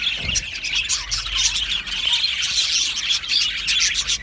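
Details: An aviary flock of Australian budgies gives nonstop shrill twittering, with clear little whistled pips over a grainy chatter. A soft low thump sounds near the start.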